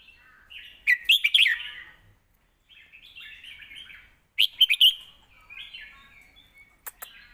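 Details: Red-whiskered bulbul kept in a cage, singing a full score-calling song meant to teach young birds: two loud, rich warbled phrases, each followed by a softer, trailing twitter, with short pauses and a click near the end.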